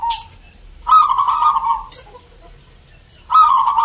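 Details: Caged zebra doves at a local singing contest in Salatiga, Central Java, Indonesia. Two rolling, trilled coo phrases sit at mid pitch, separated by a quiet gap. Faint high ticking and crowd background are also heard.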